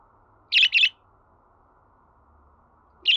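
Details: Quick double chirp from a budgerigar, followed after a long pause by one more sharp note, over a faint hum.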